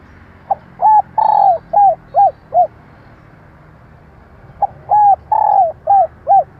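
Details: Spotted dove hen calling to attract males; two matching phrases of six coos each, short rising-falling notes around one longer drawn coo, separated by a two-second pause.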